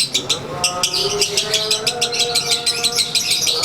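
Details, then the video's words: Caged Konslet lovebird during sunbathing, chattering in its own ngekek style: quick high-pitched pulses repeated about three times a second, unbroken and scratchy, over a quiet steady background hum. "Durasi Volume Gaya Suara ASLI Harian LB"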